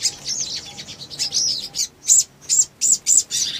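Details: Male sogon in energetic, lively song used as a lure to provoke other birds to sing: thin high chirps and twittering phrases, then loud sharp squeaky notes repeated about every half second.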